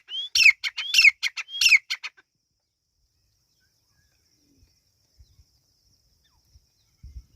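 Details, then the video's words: Three rapid partridge chick call phrases in the opening two seconds, each a sharp rising whistle tumbling into rough chattering notes. Near silence follows, with faint thumps. "Irani teetar ki awaz | Teetar ki awaz | teetar chicks sound"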